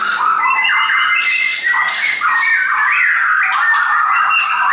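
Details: A friend's caged shamas mix harsh squawky notes with clear level whistles and quick slurred phrases, several birds singing at once.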